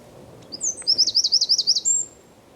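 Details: Eurasian wren singing in San Miguel de Daño, Zamudio, on 4 December 2019: a brief, very high burst of rapid, evenly repeated zigzag notes forming a ringing trill, closed by a thin sustained whistle.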